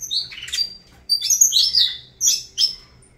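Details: Saffron finch song in short bursts: a high sweeping note, a pause, then a dense rushing run of bright chattering notes, followed by two quick sharp chirps. Faint low room hum underneath.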